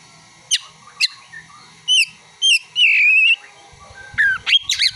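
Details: Kacer, the Oriental magpie-robin, delivering song laced with mimicked ciblek (prinia) and kolibri (sunbird) calls: two sharp descending chips, short piped notes, a sustained wavering whistle near the middle, then tumbling rapid twitters.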